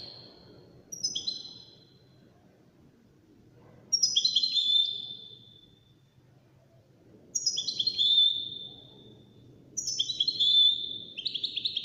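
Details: Wild-caught European goldfinch in a five-bird song contest delivers four bright, high song bursts about three seconds apart, each a quick twittering run sliding into a sustained whistled note, with soft low rumble beneath.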